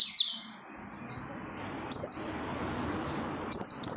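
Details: Oriental white-eye in energetic, insistent song used to stir other white-eyes into singing: sparse, piercing descending whistles, several drawn-out slurs spaced about a second apart.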